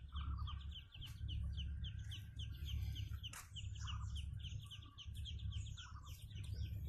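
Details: Muscovy ducks on a farm giving a dense run of high, short, slightly downslurred peeps, several birds overlapping at a rapid irregular pace, with a few sharp knocks and a constant low rumbling hum beneath.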